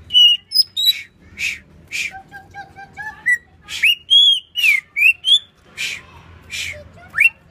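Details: Greater green leafbird from Banyuwangi singing a varied, rapid string of clear whistles, with sharp upslurs, short level notes and quick trills, mixed with bright broadband chips. Faint low hum underneath.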